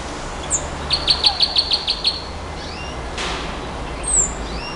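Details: Nightingale song: a short high whistle, then eight quick piercing notes repeated evenly, later a thin descending whistle. Light hiss and a brief thump are also heard.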